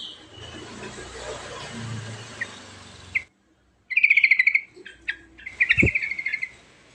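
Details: Yellow-vented bulbul singing a rolling song with rich fill-ins: after about three seconds of low rumbling background noise, bubbly chattering phrases around a fast trilled burst, repeated twice with short pauses.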